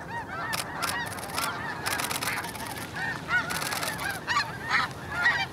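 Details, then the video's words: A flock of Snow Geese at Hagerman National Wildlife Refuge takes off early, filling the air with many overlapping honks and scattered loud rushing bursts. "Hagerman Snow Geese"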